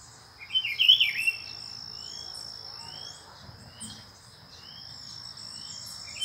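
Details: A pair of Rufous-browed peppershrikes visiting in Brazil; one gives a short, loud, rich warbled phrase near the start, followed by soft, high upslurred chirps from other birds and a constant shrill insect drone.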